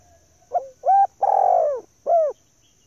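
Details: Spotted dove, a hen, calling to lure males with one four-part phrase of hollow coos, the third long and descending, the last short and clipped, over a faint steady high tone.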